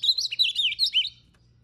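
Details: Ultramarine grosbeak singing while worked up for a fight: a fast, continuous phrase of sweet slurred whistles, looping up and down, that breaks off abruptly after about a second, leaving near silence.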